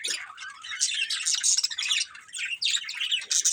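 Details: A group of budgerigars in a family chirps and warbles nonstop, with a dense, scratchy chatter of quick high notes rising and falling over the whole stretch, broken only by brief dips.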